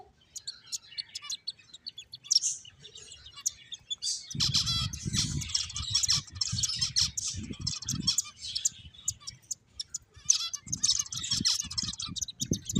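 Finches chirp in quick, high, overlapping bursts, several birds at once, with low thumping and rustling noises underneath from about four seconds on.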